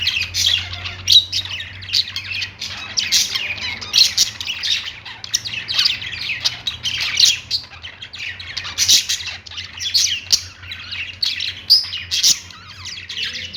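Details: Pet budgies chirping and singing while perched, an unbroken stream of busy high warbles, clicks and squeaky chirps that hardly pause over the whole stretch, over a steady low background hum.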